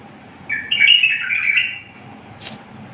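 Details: Bulbul singing a wild-style song, a clean, flawless recording meant for teaching other bulbuls: one bubbly whistled phrase of about 1.3 seconds, wavering up and down, followed by a short faint chirp in a quiet room.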